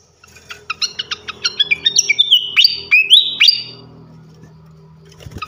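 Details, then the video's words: Flycatcher song used as a tutor recording for training champion songbirds: rapid repeated sharp chirps, then loud whistled notes sweeping up and down, over a steady low hum. "gacoan ngeplong masteran asah mental burung jawara khas srikatan kipas"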